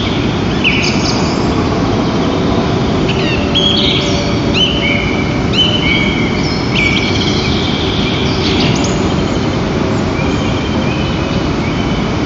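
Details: White-tailed eagle pair at their nest in Lower Kama National Park, 22 April 2023, calling loudly during the shift change between mates: high yelping notes that slur downward, in loose bursts, over steady wind and low rumble.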